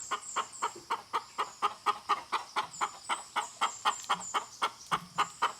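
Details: Hen clucking in a quick, even series of short, hollow clucks, about two each second, with a faint steady high whine in the background.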